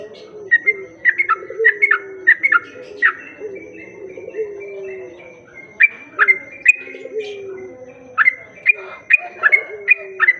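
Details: Sooty-headed bulbul sound played as a lure to draw in other bulbuls: bursts of short, sharp whistled notes repeated about three times a second in quick runs, over steady low drawn-out tones in the background.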